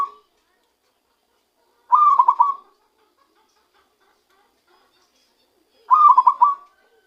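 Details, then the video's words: Recently trapped zebra dove beginning to produce its true voice: two fast, rolling, pulsed coo phrases about four seconds apart, quiet in between. "ketika perkutut hasil pikat mulai keluarkan suara asli nya"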